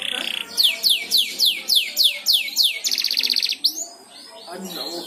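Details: Canary learning to sing, spurred on by another canary's song; a short buzz, then a series of eight evenly spaced downward whistles, a fast trill and fading soft notes.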